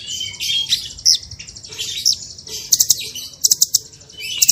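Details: Varied masteran song of a small bird: thin whistles and shrill chips give way to crisp, rapid 'tembakan' clicks in short volleys, all very high-pitched.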